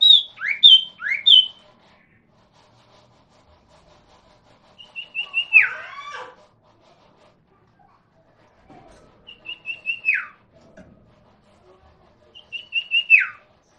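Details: A common iora, used as a lure song to prompt other ioras to answer, sings clear high whistles: a quick run of three falling notes, then short piping notes ending in a long, sliding downward whistle, repeated every few seconds.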